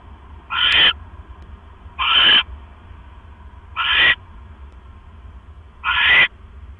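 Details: Owl at 7:24 PM on 18 October 2015 as the male delivers a rat to his mate, who swallows it whole; four harsh, noisy screeches at uneven gaps of one to two seconds over faint hum.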